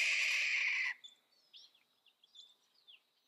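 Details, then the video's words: Red-tailed Hawk: a loud, hoarse, raspy scream that cuts off abruptly, followed by faint high chirps from small songbirds. "Red-tailed Hawk Calls and Sounds"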